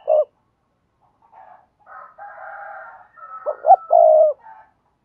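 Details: Spotted dove, "thúc gù" cooing for training new doves to coo. A short hoot opens, then a softer, buzzy, steady tone follows. Next comes a clear phrase of two short hoots and a long low coo.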